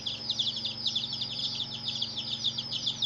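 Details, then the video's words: Chicks of the domestic hen chirp nonstop. Bright, piercing little peeps slide downward and tumble over one another in a busy chorus; a low electrical-like hum stays faint underneath. "Hen Murgi Baby "Chicks Chirping" Sound"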